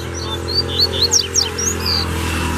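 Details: Wild double-collared seedeater in the bush calling to fight, a rapid run of high whistled notes and sharp descending slurs, ending in a sustained buzzy note, over a steady low hum.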